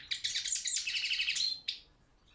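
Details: Competition European goldfinch of subspecies balcanica, from an online world song championship: one rapid continuous trilled phrase of tinkling notes lasting over a second, ending in a drawn note and a single sharp chirp.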